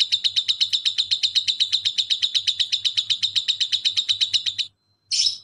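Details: Fast ngekek trill from a lovebird, a master recording to train other birds: rapid, evenly spaced harsh notes for several seconds, a brief pause, then one sharp squeaky chirp.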